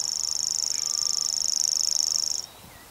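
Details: Grasshopper warbler reeling at Belvide Reservoir, April 2016: a high, continuous, cricket-like trill that stops abruptly after about two and a half seconds, leaving faint whistles from another bird.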